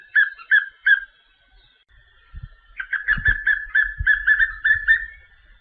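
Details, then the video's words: Papinho-amarelo singing: three loud whistled notes open, a brief pause follows, then a quick, slightly uneven string of repeated whistled phrases with low soft knocks in the background. "Canto do pássaro papinho-amarelo"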